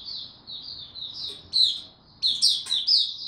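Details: A young white-eye practising its developing song on 09-02-2022, a run of soft high twitters that breaks into louder, emphatic sharp phrases partway through, with a faint low hum behind.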